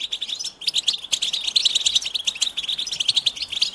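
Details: Goldfinch singing, meant to prompt other goldfinches into song; rapid, bright twittering with short buzzy trills and a brief dip before the chatter resumes at full pace.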